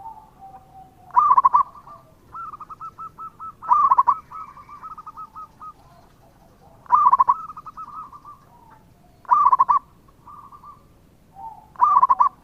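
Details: Local perkutut, a zebra dove, singing keenly to lure others into answering: five loud trilled coo bursts about every two and a half seconds, each followed by a run of softer staccato notes.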